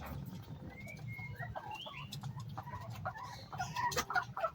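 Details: A sick chicken with disturbed breathing gives a rough, rattling snore under soft squeaky peeps and clucks, over a low background rumble; the snoring is a sign of respiratory trouble.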